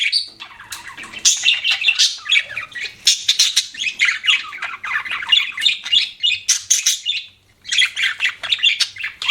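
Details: Steady chattering of pet budgies: dense, scratchy chirps and whistled squeaks running almost without a break, one short silence near the end.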